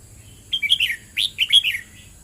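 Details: Red-whiskered bulbul delivering two quick phrases of clear, slurred whistles that drop in pitch at the end, close and loud against a quiet background.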